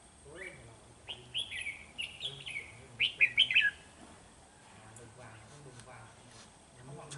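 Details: Red-whiskered bulbul decoy singing to challenge rivals during bird trapping on 13 November 2018: a few short bright warbled phrases around the third second, rather faint, with background rustling and low hum.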